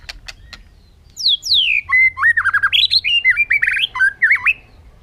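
A magpie-robin or shama sings two clear, sweeping down-slurred whistles, then a fast run of rich, varied warbled phrases. A few dry clicks come before it.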